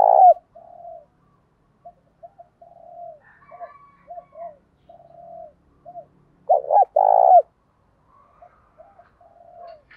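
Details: Spotted dove decoy calling wild doves, which coo back in contest; loud opening coo, a run of soft low coos, faint higher notes in the background, then a loud paired coo and quieter coos to finish.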